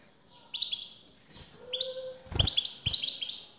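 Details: Male European goldfinch, singing in response to a female's call, gives bright twittering phrases of rapid high chirps. A soft lower whistle sounds briefly, and two strong knocks cut through the song.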